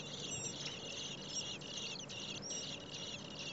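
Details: Hungry common blackbird nestlings, four in one nest, calling while being fed by both parents in heat over 30 °C: a continuous high-pitched, hissing chorus of thin squeaks with a few short sharp accents.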